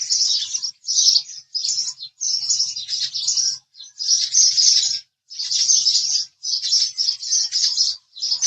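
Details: Rapid, rasping house sparrow chirps come in regular bursts of about half a second, separated by short gaps, forming a lively continuous chatter.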